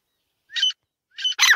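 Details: Female grey francolin (teetar) uttering two short, harsh, rasping notes, each opening with a small upslur, followed by a louder, noisier burst.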